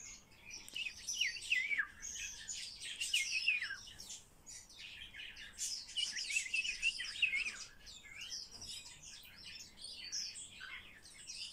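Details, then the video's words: Common starling during talking lessons, pouring out a dense, continuous warble of rapid chirps, rattles, clicks and down-slurred whistles, with louder surges around two, three and seven seconds before tapering off. "Обучение скворца разговору"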